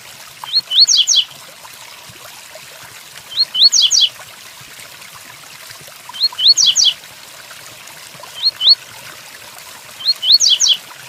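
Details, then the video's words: Double-collared seedeater repeating the Tui Tuí song over steady rainfall, with phrases every two to three seconds. Each opens with short rising whistles and ends in a rapid tumble of descending buzzy notes. "Tui Tuí Fibra pelo coleiro Capricho com som de chuva"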